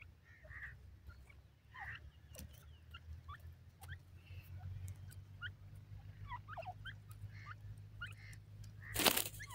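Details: Young grey francolins, called teetar chicks, roaming a Pakistani forest; scattered thin chirps and short upslurred peeps in loose clusters, a steady low hum underneath and a sharp loud crackle near the end.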